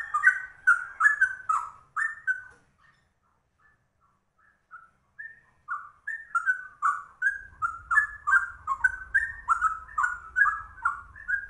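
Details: Rare yellow-vented bulbul (trucuk) with a cucak rowo-style rolling song: rapid, rich whistled phrases, a quiet spell with a few scattered notes, then a long, fast warbling run over a low rumbling background noise.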